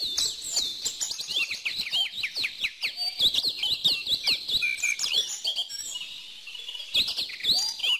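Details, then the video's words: Birds singing in a busy chorus: rapid high chirps and tweets, many short downward-sweeping notes overlapping almost continuously, with a brief lull near the sixth second before the chirping resumes. "bird song"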